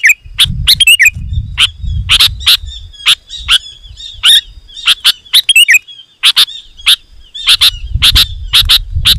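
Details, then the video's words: Loud, busy song of a sooty-headed bulbul, played to draw wild bulbuls closer: crisp chirpy notes fired in rapid bursts of two to four, with short gaps between, and a faint low rumble underneath. "Suara Burung KUTILANG GACOR, Rapat dan Lantang"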